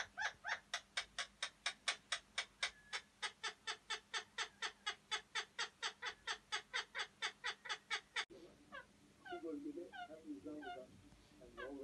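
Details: Alexandrine parakeet making breeding-season mating and arousal sounds meant to stimulate males: harsh, ringing screeches about four times a second, then a sudden switch to softer, chattering, down-slurred chirps.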